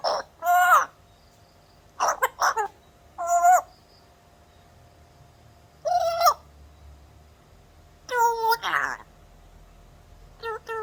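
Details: An African grey parrot imitating a cough gives about six short, harsh cough-like bursts with a tonal ring, spaced unevenly a second or two apart, over a faint steady hum.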